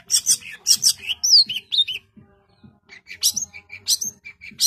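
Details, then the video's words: Long-tailed shrike in energetic song: clusters of harsh, buzzy high notes and a few sharp whistled slurs, a near-silent gap midway, then more scratchy bursts resume. "Cendet GACOR full tembakan rapat"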